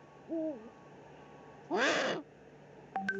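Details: Eurasian eagle-owl at an Eifel nest, 13 March 2019, male delivering food to the female: one bent, nasal two-toned call, then a half-second harsh hissing screech, and a short click at the end.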